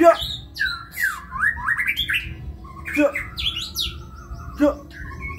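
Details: White-rumped shama delivering kebyok-style song, loud whistled sweeps and downslurred notes mixed with harsh chattering bursts repeated about every one and a half seconds over a steady low hum.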